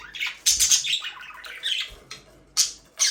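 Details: Aviary budgerigars, a breeding pair, giving scratchy squawks and warbled chatter, loud bursts separated by short pauses, ending with two sharp calls.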